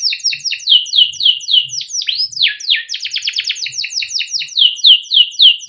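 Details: Young caged canary singing a long, busy rolling song, kept and used to coax young canaries into singing: fast repeated downward-sweeping high notes, one long slur, then a rapid rattling trill and more sweeps.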